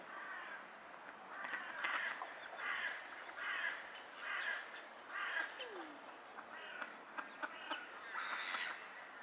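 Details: Mallards during a courtship display: harsh, raspy quacks repeated about once a second in a loose series, with faint background chatter from other birds.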